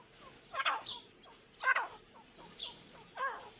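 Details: Irani teetar partridge pair calling: four harsh, buzzy bursts with falling notes, each about a second apart, plus soft chirps and steady hiss.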